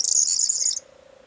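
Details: Corn bunting on 4 June 2022 delivering a short, very high, glassy jingle of rapid notes lasting under a second, fading into quiet with a faint low hum.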